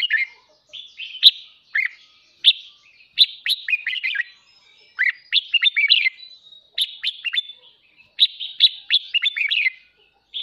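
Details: Morning song of a caged red-whiskered bulbul, used for voice training: continuous run of cheerful whistled phrases with sharp clicks and rapid slurred notes, barely pausing over ten seconds.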